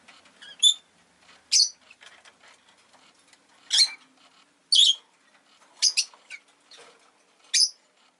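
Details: Rosy-faced lovebird kept as a pet, the day its egg was laid: sharp, scratchy chirps about once a second, each short and shrill, with soft rustling and faint street noise between.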